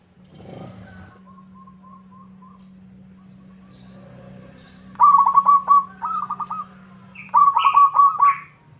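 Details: Local zebra dove in full song, provoking a rival to reply: faint distant cooing at first, then two loud bursts of quick, bubbling trilled coos with a steady low electrical hum underneath.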